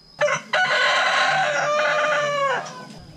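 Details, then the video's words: Rooster crowing: a short opening note, then one long, harsh, richly layered crow held for about two seconds before falling away at the end, with low background hum. "Cock Singing | Cock Sound"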